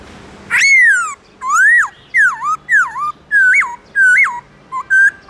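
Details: In the morning, a black-throated laughingthrush sings in forest voice style, beginning with long downslurred whistles, then quicker rising-falling notes and short bright whistled hooks, about eight phrases in five seconds.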